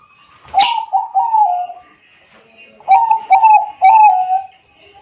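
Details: Bangkok-type zebra dove, perkutut, recorded on an Android phone in Wiradesa, Pekalongan, Central Java, used as a lure to prompt lazy doves to sing; a sharp click, then two bursts of mellow, pulsing coos with a pause between.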